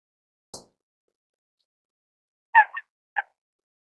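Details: Falcated duck (Anas falcata) giving three short, nasal, reedy notes: a louder one, a quick softer follow-up, then one more half a second later. A faint knock comes earlier.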